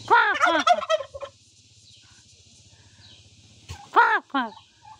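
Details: Hen turkey, Nepal village, uttering rapid bursts of loud, arched kor notes, a low steady rumble running beneath, then a second burst of the same harsh, rolling calls.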